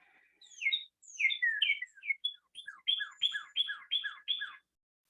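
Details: A male Northern Cardinal in Maryland sings loudly to establish its territory: clear slurred whistles, opening with varied notes and ending in five quick downslurred phrases about three a second.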